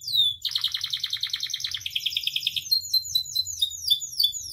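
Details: Canary song from a recording used to tutor and provoke captive canaries. A rapid buzzy trill gives way to repeated high down-slurred whistled notes, with a faint low hum underneath.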